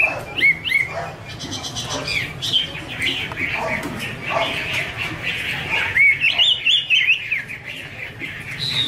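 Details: Chinese hwamei female singing 'mái te' with a male behind her: fast twittering and slurred whistles, a dense burst of high chatter, then rising and falling whistled runs, some very high, above a low droning background.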